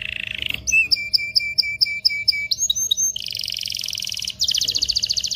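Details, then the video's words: Canary song to prompt mating: a low trill, a run of paired bouncing whistled notes, quick slurs, then two fast buzzy trills at different pitches; faint steady hum behind. "تغريد طائر الكناري هائج , لتجهيز الاناث و الذكور للتزاوج والغناء"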